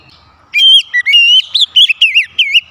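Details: Oriental magpie-robin singing to stimulate other birds: a long, clear, sliding whistle followed by a fast string of bright, warbling notes rising and dipping in pitch.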